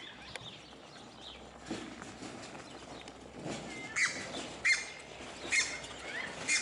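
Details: Captive red-breasted goose at a zoo in Upie, Drôme, France, giving sharp, squeaky high calls repeated roughly every second in the second half, after a quieter start with faint background rustling.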